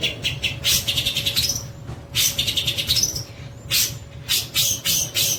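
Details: Long-tailed shrike delivering its kapas tembak style song, used as a training recording; harsh, scratchy high bursts in quick clusters with short gaps, a few thin rising whistles, over a steady low electrical hum.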